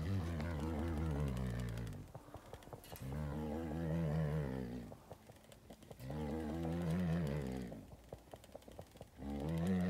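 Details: Male ostrich performing a mating dance before an unimpressed female at a wildlife encounter in Victoria Falls: deep, rumbling, roaring booms that waver in pitch, each lasting about two seconds and repeating every three to four seconds.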